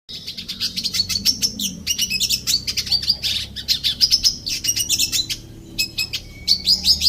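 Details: Red siskin in an aviary, singing a long, fast twittering song of high chirps, trills and buzzy notes, with brief pauses between phrases.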